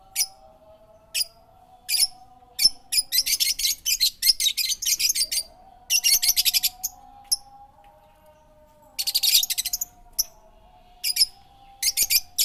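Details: Chirping bird song with sharp single notes between rapid buzzy trill bursts, several fast rattling phrases, and a steady low hum underneath throughout.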